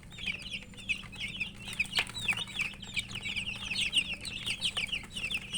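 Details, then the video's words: Murgi chicks, domestic chickens, chirping while eating: rapid high peeps overlapping in a steady chorus, with occasional clicking taps. "Murgi chicks Chirping sounds and eating"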